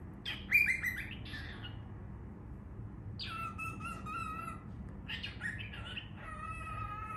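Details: Baby cockatiel giving harsh, raspy squawks with a few chirps, in short bursts separated by pauses, over a soft background hum.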